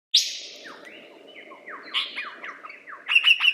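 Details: Lyrebird singing in the open: a loud, sharp opening note, then a run of quick, falling whistled sweeps about every quarter second, ending in a burst of harsh, buzzy, rapidly repeated notes.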